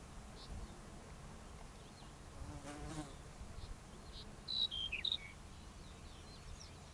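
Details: A black-headed bunting (Emberiza melanocephala) sings one short phrase of high, slightly metallic notes that dip and rise again; a fly buzzes past just before, over steady low background noise.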